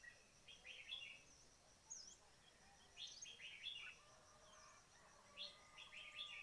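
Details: Red-whiskered bulbul calls recorded during bird trapping: short bright chattering bursts of bubbly notes that come in clusters about every one to two seconds, with thin high chips and a faint steady whistle behind.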